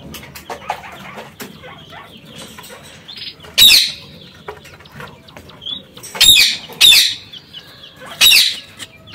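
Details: Quail giving loud, harsh, rasping bursts, each under half a second, four of them spread over the stretch, with faint chirps from other birds in the background.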